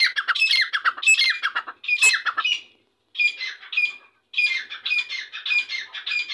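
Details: Grey francolin (Irani dakni teetar) giving loud, scratchy squawks in clustered bursts, with brief silences separating three or four rough, rapidly pulsed phrases.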